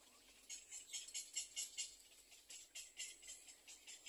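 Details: Little egret chicks waiting for food in the nest beg with quick, harsh, hissing rasps, repeated in uneven bursts several times a second.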